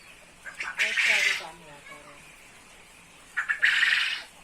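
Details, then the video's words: Male quail kept and trained to sing in the chattering ceketer style, ready for hanging up. Two loud, harsh, buzzy bursts, the first followed by a fading trail of stacked lower tones, then a brief pause before the second. "burung puyuh gacor ceketer"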